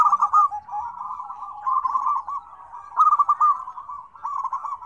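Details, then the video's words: Several zebra doves cooing together, a busy mix of combined voices used to prompt other doves to call: continuous low, rolling, bubbling coos overlapping in bursts, with faint higher chirps from other birds. "PERKUTUT RIBUT RAME SUARA KOMBINASI"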